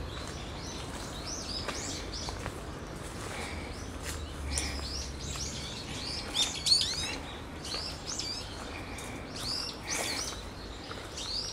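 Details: Brown-eared bulbuls giving repeated warning calls about a bird of prey, in November; shrill, downslurred high notes in busy irregular bursts, several overlapping, over steady low rumble.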